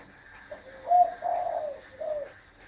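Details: Soft spotted dove coo in a noisy room: a short note, a rising hoot and a longer low coo, followed by a quieter closing note.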